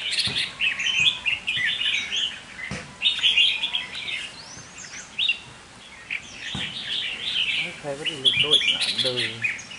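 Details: Captive decoy red-whiskered bulbul pouring out scratchy, chattering warbles in repeated bursts, with a man speaking briefly near the end.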